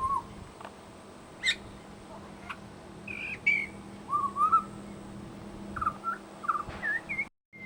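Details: Mimicry by a pied butcherbird at a bird sanctuary: short whistles and sharp high chips, then a run of wavering, slurred fluty notes, each under half a second, with a steady faint hum behind.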